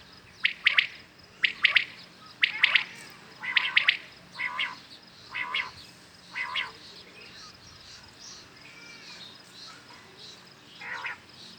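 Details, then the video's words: Common quails calling in the morning: bright triple-note phrases near two kilohertz, repeated about once a second in the first four seconds, then fainter, blurrier answering calls from farther birds. "Today common quails calling | شکار کے لیے اصل بٹیروں کی صاف آواز"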